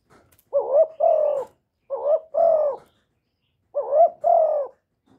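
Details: Spotted dove calling and cooing in a clean, noise-free recording meant to excite other kept doves: three paired phrases, each a short rising hooted note followed at once by a longer, steady, slightly falling coo, repeated about every 1.5 seconds.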